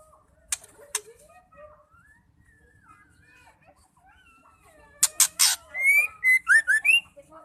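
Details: Female white-rumped shama call, used to make males sing: two sharp clicks and soft wavering notes, then harsh rasping bursts and a ringing whistled phrase of rising and upslurred notes.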